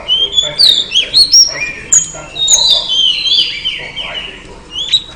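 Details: Female oriental magpie-robin giving calls to attract a male: varied whistles and long descending slurs, a few loud sharp notes early, fading toward the end.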